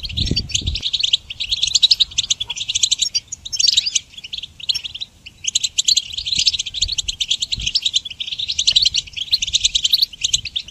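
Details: Goldfinch song for teaching songbirds: long bursts of quick, tinkling twitters and buzzy trills, a short break near five seconds, then more rapid chatter. Low thumps open the passage.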